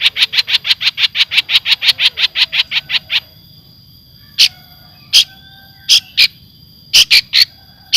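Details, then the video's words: Java long-tailed shrike singing clear filler phrases: a rapid even series of sharp chipping notes, about six per second for three seconds, then single spaced chips with a faint steady high whine. "Kompilasi Kicauan terbaik cendet Jawa gacor full isian jernih"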